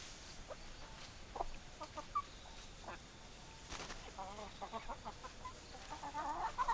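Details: Hen clucks, soft and spaced at first, then a denser run of quavering clucks and a few higher squeaky notes near the end, with faint background hiss.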